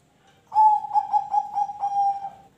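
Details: Zebra dove singing, a song meant to draw other birds into singing. It gives a strong burst of roughly six rhythmic, soft-edged coos on one level pitch, trailing off gently, with quiet background.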